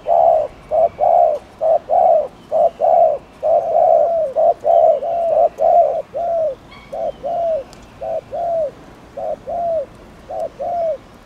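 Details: Spotted dove cooing to provoke other doves, a rapid, steady series of mellow, low coos in short-then-long pairs, the longer note slightly falling, with faint high chirps of other birds behind.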